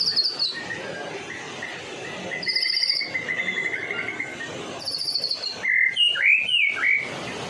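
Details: Medan-type white-rumped shama in vigorous song meant to attract other shamas: high buzzy bursts alternate with a sustained quavering trill, ending in a cluster of loud, looping whistled notes.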